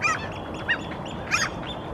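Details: A Eurasian oystercatcher standing on a rock in Helsinki, Finland, in April 2023, calling while gesturing with its wings, gives three loud, shrill piping notes about every two-thirds of a second over a steady wash of wind or surf.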